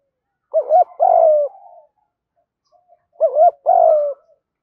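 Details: Spotted dove, male and female calling, used to stimulate training birds: two cooing phrases, each a quick rising-falling double note followed by a longer descending coo, about three seconds apart, in silence.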